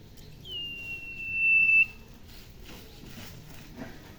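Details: Tame Sirpu bird at home, which always chirps shrilly when near people, giving one long, steady, high whistle that swells louder over about one and a half seconds before stopping abruptly, followed by faint room noise.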